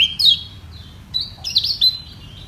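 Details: Lemon-bellied white-eye during a voice battle to defend its position. Brief bursts of high, thin whistled slurs and a few chirps are separated by short pauses.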